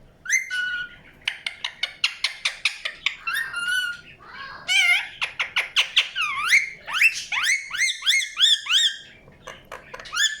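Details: Chirping from an Indian ringneck parakeet, a busy mix of quick clipped notes, steady whistled tones and swooping screechy calls that rise and fall, with barely a pause.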